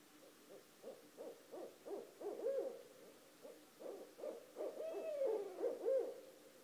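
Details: Two barred owls calling at night outside a house at 1:30 am, loud enough to wake someone: dense overlapping hoots in rapid cackling bursts, with a longer wavering slurred note near the end.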